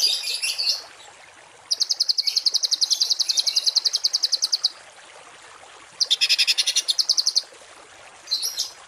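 A songbird gives bursts of rapid, harsh, high-pitched notes, each a fast buzzy rattle lasting a few seconds, separated by short pauses.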